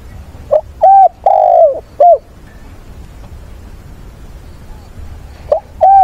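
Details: Spotted dove used as a decoy bird to provoke wild doves, calling to mates and giving a fighting song on a weekend, 6 September. A phrase of four low, mellow, hooting coos, the third longest, then a new phrase starting near the end over quiet background hiss.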